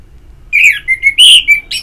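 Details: Orange-headed thrush in North Bali, Singaraja, singing ngeplong therapy audio used to encourage singing: a brief phrase of bright slurred whistles, one note held and level, the next rising, ending in a sharp, higher note.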